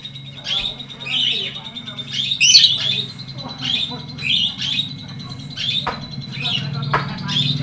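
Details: Lovebird giving a long ngekek chatter used as training material: rapid high buzzy chirps and scratchy trills in bursts, with a steady low hum beneath.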